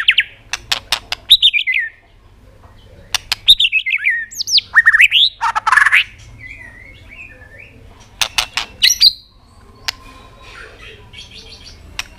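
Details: Excited white-rumped shama singing to provoke other birds, mixing sharp repeated clicks with short, rapidly sliding whistled phrases in bursts, separated by brief quiet gaps.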